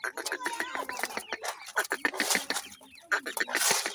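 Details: Nesting grey francolin with chicks calling: dense, loud chatter of short clucks and bright chirps packed closely together, overlapping and irregular, with hissy bursts in between.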